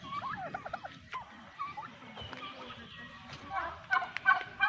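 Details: Male turkeys held away from females call with a quick stuttering run of wavering notes at the start, then scattered softer calls and a burst of sharp clucks near the end.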